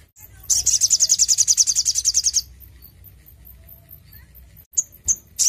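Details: Lively crimson sunbird song intended to prompt caged birds to sing: a single high trill of rapid, regular piercing notes lasting about two seconds, followed by quiet and a few sharp chips.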